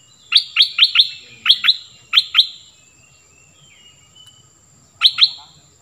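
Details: Cream-vented bulbul decoy bird giving sharp, clipped notes in pairs and short runs, about eight in the first two and a half seconds, a pause, then two more.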